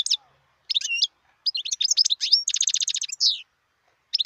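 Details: Wild European goldfinch singing, 2018: bright twittering bursts broken by short pauses, then a rapid run of about ten evenly repeated metallic notes and a falling buzzy phrase. The background is otherwise quiet.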